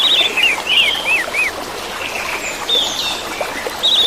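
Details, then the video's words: Whistled orange-headed thrush song played to coax silent caged birds into singing: quick chattering trills and several arched, down-slurred notes in fast bursts, a pause, then more high whistles, all over running water. "KICAU ANIS MERAH"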